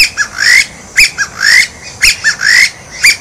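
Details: White-breasted waterhen calling in a steady cycle about once a second: a sharp clipped note, a short hoarse note, then a long harsh upslurred squawk, repeated three times with no other sounds.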